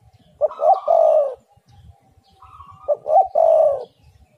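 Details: Cooing of a spotted dove used to lure other doves into calling: two matching phrases about two and a half seconds apart, each a quick note then a drawn-out coo that fades slightly downward.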